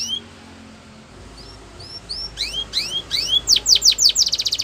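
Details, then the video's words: Canary singing a training song: soft spaced upslurred whistles build into louder rapid sweeping notes and end in a fast buzzy trill. "The Best Canary Training"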